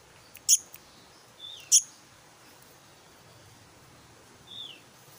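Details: Black-naped monarch (Hypothymis azurea), chick call.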